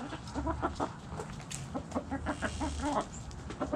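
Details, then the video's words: Backyard hens clucking: a steady run of short, low, repeated clucks from several birds, overlapping one another throughout, with faint scratching and ambient yard noise beneath. "Backyard Chickens Relaxing Sounds Noises Video ASMR Hens Clucking Roosters Crowing!"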